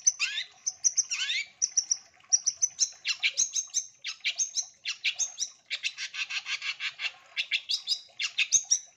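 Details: Long-tailed shrike in lively lure song, richly filled with varied phrases: high piercing whistles alternating with scratchy chatter, then a fast rattling burst of harsh notes near the end, steady and continuous throughout.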